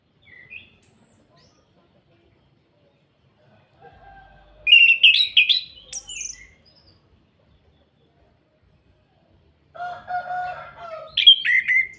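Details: Kretekan call of an orange-headed thrush, played to stir other birds to sing: a dense burst of high, scratchy chattering notes, a long pause, then lower rasping notes rising into shrill squeaks.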